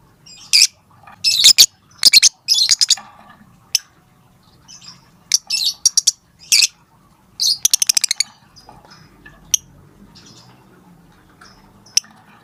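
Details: Lovebird calling to its companions: repeated bursts of shrill, high 'tik tik tik' chirps, often in rapid clusters of several notes, separated by short pauses, then thinning to scattered single ticks.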